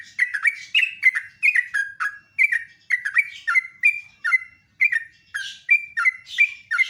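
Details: Sooty-headed bulbul singing live in the morning, a loud, melodious song: rapid run of short, liquid whistled notes, each dropping or rising in pitch, delivered in quick bursts about three per second with hardly a pause.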